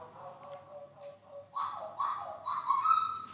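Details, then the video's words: Papuan butcherbird in a roughly 5 m tall aviary around dusk gives three rich, fluting whistled notes about half a second apart, each slightly rising, after softer steady tones and a faint background murmur. "itu suara burung jagal Papua"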